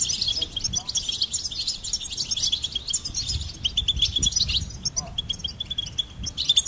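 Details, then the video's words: Goldfinch pouring out a dense, ringing twitter that becomes steadier repeated notes toward the end, with a soft low hum in the background. "Goldfinch Singing and Song Compilation"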